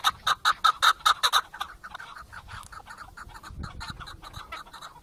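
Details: Chukar partridge giving a run of loud, clipped chuk notes at a quick pace, then fainter, blurred clucking continuing under background noise.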